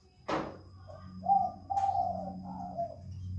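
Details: Spotted dove calling actively inside a jungle fowl breeding cage. A sharp knock opens the recording, followed by soft, hollow coos in a short series of low notes, over a steady background hum.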